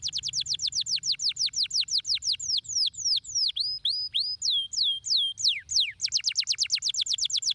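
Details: Canary singing a stimulating song: rapid trills of steep downward-sweeping high whistles, then slower swooping and rising notes, then a return to a fast repeated descending trill; clean and continuous.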